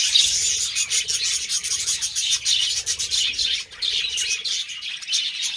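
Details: Budgies in the mating season chatter nonstop: busy, high, scratchy warbling with quick chirps rising and falling in loudness, and a faint low hum beneath.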